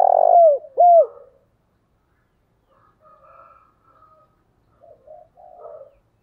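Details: Decoy spotted dove calling in the thúc bổi style to lure wild doves: one loud phrase of low clipped notes and a slurred falling coo, followed by fainter, softer cooing from other doves.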